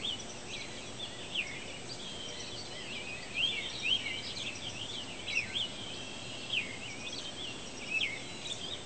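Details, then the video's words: Pre-sunrise chorus of loud birds recorded June 9, 2013: dense, overlapping bright chirps and rapid twittering from multiple birds, some notes sweeping down, set against steady background hiss. "Birds Chirping Before Sunrise"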